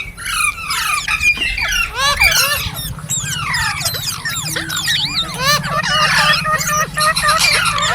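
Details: Green parrot chirping: a loud crowd of birds giving shrill curved chirps and squeals in constant overlapping chatter, with a low rumble underneath throughout.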